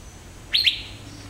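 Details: Single loud double-noted whistle from an Asian fairy-bluebird, Western Ghats moist evergreen forest; each note flicks sharply upward before levelling off, over faint background hum.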